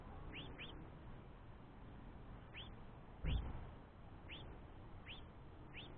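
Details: A young house finch begs its father for food while the mother rests, giving short, rising, squeaky chirps every half second to a second over a steady low background rumble and one dull thump.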